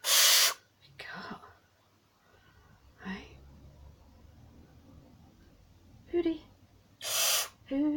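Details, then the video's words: A barn owl being handled and tickled, in a grumpy mood, makes two harsh hisses, one at the start and one near the end, while a person talks quietly in between. "Hooty the Barn Owl getting tickles.... But is grumpy"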